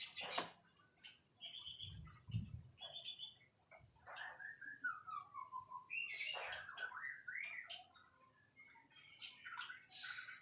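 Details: ['White-rumped shama song of varied whistled phrases, including a long wavering descending whistle and looping slurred notes, broken by sharp clicks and brief pauses.']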